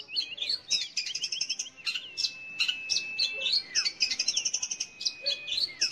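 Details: Long-tailed shrike song used to stimulate young or silent birds, combining scratchy chirp bursts with a long level whistled tone and several falling slurred notes.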